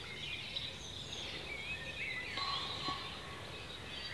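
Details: Faint, distant bird chorus in ancient Cornish woodland, UK: thin high whistles and twitters blending together, with a few short, clearer notes midway.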